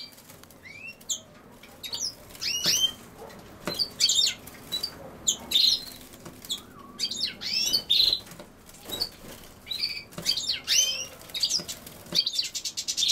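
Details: European goldfinch near common sow-thistle, calling in a long run of sharp, high chirps and quick liquid twitters, spaced irregularly with short silences and occasional clicks between them.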